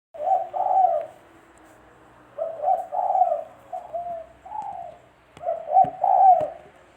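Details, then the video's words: Spotted dove cooing, used as a lure for trapping birds: low, soft, hollow coo phrases of two or three notes each, repeated in four bursts separated by brief pauses, with a few faint clicks in the background. "Suara Burung Tekukur-Suara Tekukur Buat Pancingan Mikat"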